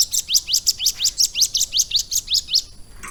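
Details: About fourteen bright, rising chirps, evenly spaced and high-pitched, come from a caged Bar-winged Prinia trained for three months to sing with lovebird-like phrasing.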